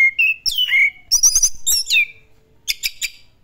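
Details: Orange-headed thrush singing vigorously in the 'classic style': loud whistled notes, downward-slurring phrases and quick high trills in bursts separated by short pauses, ending with sharp repeated high chips; a faint steady low hum underneath.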